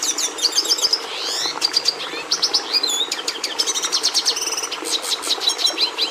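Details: Red siskin in full song: a fast, varied twitter of high ticks, sweeping slurred whistles and rapid buzzy trills, run together without pause, over faint background hiss.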